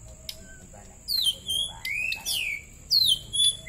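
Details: White-rumped shama song from birds from Bahorok and Marike in a duel: loud whistled notes, some sweeping down and others rising, in short phrases with pauses, over a steady high hiss and low rumble.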